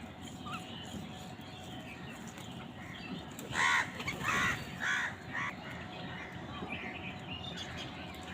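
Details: Crows quarrelling over food let out a short cluster of four or five rough, grating caws midway, framed by quieter stretches of background hum and distant small-bird chirping.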